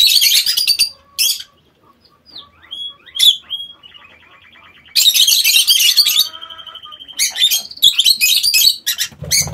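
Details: Loud, harsh screeching from aviary lovebirds comes in long bursts, broken by quieter stuttering chirps and thin whistles, then a sustained raucous chorus in the second half.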